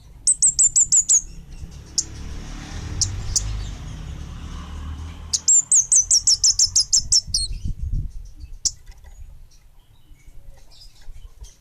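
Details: Orange-headed thrush (kemade bunga api) singing vigorously: a rapid string of high, thin, down-slurred whistles, a few single chips, then a longer fast run of similar notes, over steady low rumbling noise.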